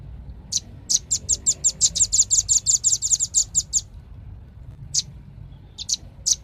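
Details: Velvet-fronted nuthatch rattling off some eighteen sharp, high notes in quick succession, then falling quiet apart from three or four spaced single chips near the end.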